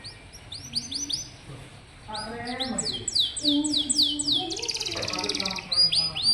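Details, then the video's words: Canary song played as a tutor recording to prompt young or rarely singing canaries, and other birds, to sing. Rapid, high, sweeping whistled notes repeated in quick series and trills, with a low human voice talking underneath through the middle. "Suara burung kenari bikin hati senang, dan masteran burung kenari muda dan jarang bunyi"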